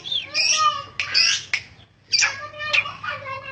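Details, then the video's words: Long-tailed shrike in persistent song, scratchy rasping phrases woven with softer warbled notes, two bursts separated by a short pause. "burung cendet bunyi ngotot"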